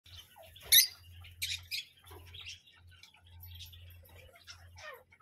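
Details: Parrot giving one loud, harsh screech, then scattered short high chirps and squeaks, all over a steady low electrical hum.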